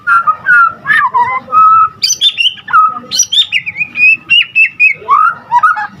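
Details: Energetic white-rumped shama song with a wide range of phrases: mellow wavering whistles, sharp high upstrokes, then a steady string of quick clear notes, with a soft low rumble underneath.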